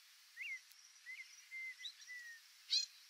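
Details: White-faced whistling duck in the Pantanal: a run of thin, clear whistled notes, some rising then falling, some drawn out and level, followed by a short harsh rattling burst, over a steady high insect hum.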